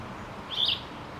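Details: A Plumbeous Vireo sings while sitting on its nest on a forest trail near Salt Lake City, Utah, in the morning. It gives one short, slightly burry mid-high song phrase lasting about a quarter second over faint outdoor background noise.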